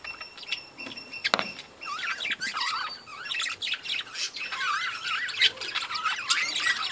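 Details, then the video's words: Chattering budgerigars in a breeding colony: wavering, warbled high notes and rapid chirps from several birds, building denser toward the end, with a sharp knock near the start. "budgies breeding colony"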